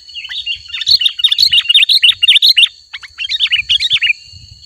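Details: Sooty-headed bulbul in lively song, used to lure wild bulbuls: a quick string of bright, rising-falling chirps, a brief pause, then another fast chirping run. A faint low rumble and a steady high tone sit underneath.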